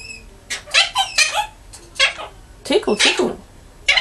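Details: Pet green Quaker parrot, a five-year-old male, chatters and mumbles to himself indoors in several harsh, voice-like syllables grouped in two bursts, the last syllable cut short.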